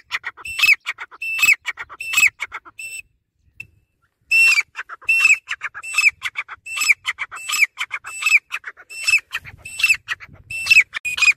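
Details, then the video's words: Grey francolin (dakhni teetar) calling nonstop: a long series of shrill, ringing whistled notes, each bending up then down and joined by short chattering notes. There is a brief break near the middle, then about ten more calls at a steady pace. "Dakhni Teetar Nonstop Voice | Teetar Awaz | Grey Francolin Teetar Sound | Teetar Ki Awaz"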